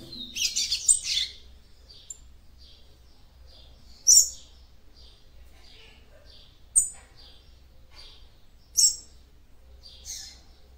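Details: Female double-collared seedeater song used to excite the male: a harsh chattering cluster at the start, then single sharp high chirps every two to three seconds.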